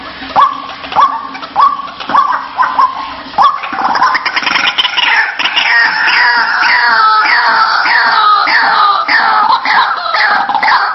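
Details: White-breasted waterhen lure call, played to draw the bird out of its nest or hiding place: a few spaced clucks, then a dense, continuous stretch of harsh, repeated rising croaks, about 100 per minute, over a steady noisy background.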